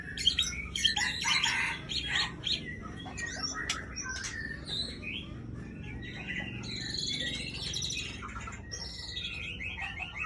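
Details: Female white-rumped shama from Aceh sings bursts of scratchy chatter, clicks and high thin whistles, followed by buzzy descending phrases, with brief pauses between outbursts.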